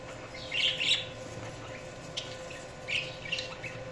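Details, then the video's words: High budgie chirps in small clusters, two bright notes early and another pair near the end, with softer squeaky chatter between over a low humming background. "Budgies Chirping sound"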